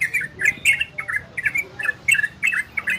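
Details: Orange-spotted bulbul singing in ropel and garudo style, used to stimulate breeding condition in listening birds: short bubbly warbled phrases repeated about every half second, with brief pauses between bursts.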